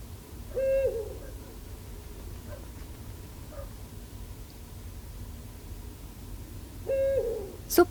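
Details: In November at the Sihwa wetland, South Korea, a Eurasian eagle-owl of a mated pair gives two short, steady hoots about six seconds apart, answering its mate; calls signal between male and female, and the male's are deep.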